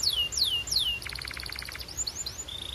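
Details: Singing canary, offered as training song for Timbrado and other canaries: slow downward-swooping whistles, then a quick pulsed rattle, a few sliding notes and a level held whistle.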